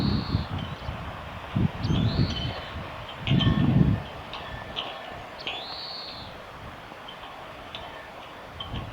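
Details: On 9 April 2022 in a nature observation garden, an Oriental greenfinch gives sharp chips and two stretched, rising, nasal buzzes; thuds of low rumbling noise fill the first four seconds.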